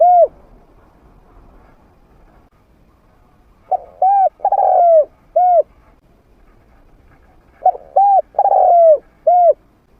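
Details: Spotted dove kept as a trained decoy for luring wild doves, medium-toned voice: after a quiet stretch, two cooing phrases of soft hoots around a long sliding coo, ending with a single hoot.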